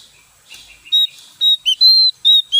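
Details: Javan white-eye, newly bought from a mixed batch of caged birds and not yet singing fully: a series of short, high, clear whistled notes after a soft start, with no other sounds.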